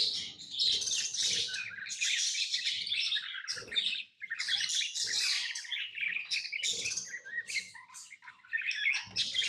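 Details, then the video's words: Steady, noisy twittering from pet lovebirds, rough high chirps overlapping in long runs, with occasional low thuds from movement beneath. "Love birds Sounds | lovebirds chirping sounds"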